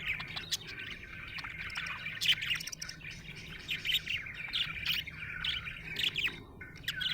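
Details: A cheerful budgie keeps up continuous warbling chatter of rapid chirps, clicks and short whistled trills, with sharper accented squeaks scattered throughout and a low steady hum underneath.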